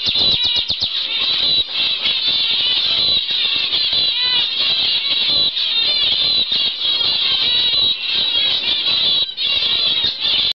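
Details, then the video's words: UK-bred normal zebra finch pair from 2011, recorded November 2011: an unbroken stream of high, nasal, trumpeting beeps and chattering calls, tightly packed and steady throughout. "Normal Zebra finch pair nov 2011"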